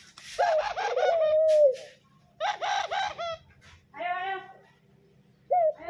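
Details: Caged pet doves at home answering their owner's calls, noisy enough to stop morning sleep; a long rolling coo opens, followed by voice-like bursts and a final short coo.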